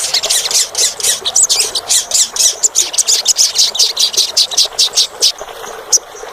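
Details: Olive-backed sunbird, played to encourage a reluctant caged bird to sing; a steady stream of piercing, high chip notes about three per second, fading to a couple of lone calls at the close.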